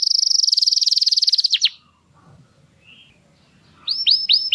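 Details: Canary singing to prepare hens for mating, Dutch type: a long rapid trill of high notes for about one and a half seconds, a near-silent pause, then a few loud upslurred whistles.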